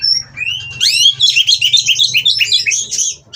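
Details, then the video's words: Mating white-rumped shama singing to stir rivals, a bred captive bird; a sustained high whistle then a dense burst of fast, varied warbles and rising slurs, continuous and loud, with low hum in the background. "Burung Kacer Kawin Merangsang Lawan Untuk Bunyi dan Lebih Gacor"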